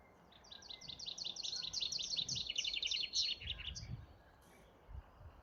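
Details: Bird song recorded on 15 May: a rapid, high-pitched trill of chirping notes repeated about three to four times per second for nearly three seconds, over faint low background rumble.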